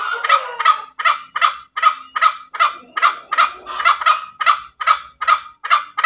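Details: Junglefowl in ngekek style, a long cackling sequence of coarse, nasal rasps delivered about two and a half times per second, slightly uneven spacing, clean background.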